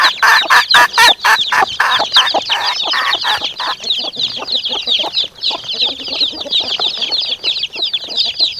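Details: A hen's rapid, buzzy clucks fill the first half, then give way to a dense chorus of high chick peeps calling back, over a noisy background.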